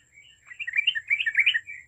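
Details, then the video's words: Energetic yellow-vented bulbul song, a continuous rapid bubbling warble of slurred, rising and falling notes that swells louder midway, over a faint constant high-pitched tone. "TRUCUK GACOR AMPUH UNTUK EMANCING BUNYI TRUCUKAN OMBYOKAN"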